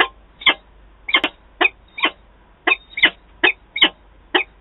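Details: Two adult peregrine falcons meeting at Wałbrzych, Poland, 11 September 2022; spaced single and doubled harsh, scratchy notes, with pauses of about half a second between them, quieter than the earlier chatter.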